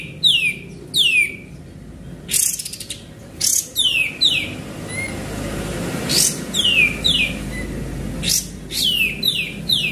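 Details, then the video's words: Energetic sooty-headed bulbul song meant to lure other birds: paired falling whistles recur every second or two, separated by brief scratchy bursts and a soft rising note, against low background noise. "Pancingan Burung Kapas Tembak Gacor"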